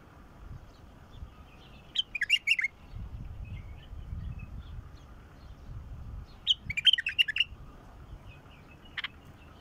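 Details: Wild bulbul singing two bright, bubbling phrases of rapid rising and falling whistled notes about four seconds apart, plus a brief extra note near the end, over a low rumble.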